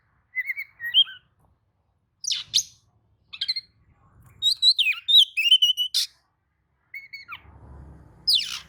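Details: Agitated Oriental magpie-robin answering a rival's song: scattered whistles and scratchy bursts, then a dense run of chirps, with a faint low rumble near the end.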